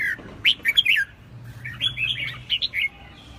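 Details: Red-whiskered Bulbul singing: short bursts of bright, warbled whistles sliding up and down, in two phrases over a low background hum.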